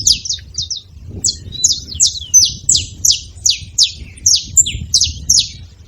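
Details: Saffron finch calling: a few quick high chirps, a brief pause, then a regular string of loud, sharp downward-sweeping notes nearly three per second.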